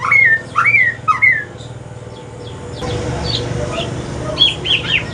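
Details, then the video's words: Aceh white-rumped shama singing in the evening, turning to pastol style. Three loud, rising whistled phrases come first, then fainter high notes over a rise in background noise. "Kicauan sore hari murai mutasi ke pastol si paling cerewet"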